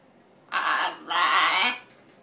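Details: A pet blue-and-yellow macaw saying "I love you" but never managing the final "you": two harsh, raspy spoken phrases, each about half a second long, with a hoarse, nasal tone.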